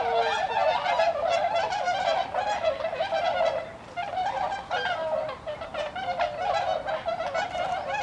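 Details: A wintering flock of about 70 tundra swans (Bewick's, Cygnus columbianus bewickii) on the Kiso River, Aichi, Japan, winter 2014, gives a steady chorus of soft, overlapping honks and bugling whoops, several calls a second.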